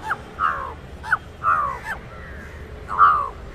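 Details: Indian jungle crow (Corvus culminatus) giving its distinct call, said to frighten other birds: a series of harsh, hoarse caws at an uneven pace, with a low steady hum underneath.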